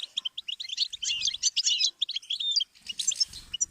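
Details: Goldfinch singing as a song-learning stimulus: hurried chirping phrases of bright twittering notes, rising into a dense tangle, a short gap, then a higher scratchy flourish with faint low thumps.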